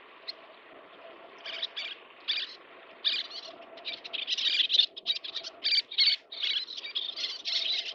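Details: Little terns (Sternula albifrons) feeding chicks give harsh, high, rasping chattering calls in quick bursts, growing busier and almost continuous toward the end, over a faint steady low hum.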